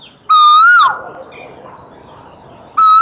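Asian koel giving loud, clear whistled notes that rise slightly, about two and a half seconds apart, over a quiet background hum.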